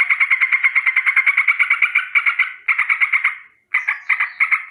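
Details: A bulbul (trucukan, yellow-vented bulbul) gives fast, harsh rolling chatters, about three notes a second, in bursts broken by brief pauses, described as a morning danger-alarm call. No other sounds are heard.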